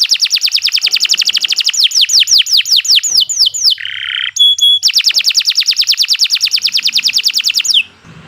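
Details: Canary master song for training, non-stop: a rapid run of sweeping whistled notes slowing down, a buzzy harsh burst, brief pure whistles, then another fast rolling trill that ends abruptly.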